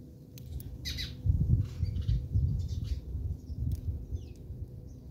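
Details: Several house sparrows in a fight in South Africa; sharp, scratchy chirps and squawks come early, then fainter ones, with loud low rumbling noise and a constant hum underneath.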